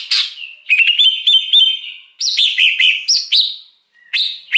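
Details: Wild greater green leafbird whose song serves to lure birds: a harsh opening, steady whistled phrases, then a run of rapid swooping notes with short gaps, closing with two rising whistles.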